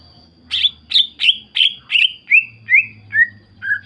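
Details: Lure song of a greater green leafbird, used to provoke other leafbirds into replying: a run of nine loud, slightly buzzy whistles that gradually drop in pitch, about three per second, over a faint high hum.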